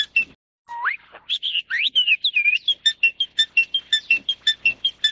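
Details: Crested myna of the Taiwan endemic subspecies formosanus, a black bird with a frontal crest, giving a varied song: rising whistles and slurred notes, then a steady run of short sharp clicking notes about twice per second.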